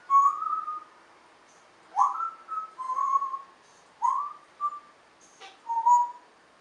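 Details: African grey parrot kept as a talking pet, whistling clear mid-pitched notes in short bursts, some sliding upward, repeated roughly every second with brief silences, indoors.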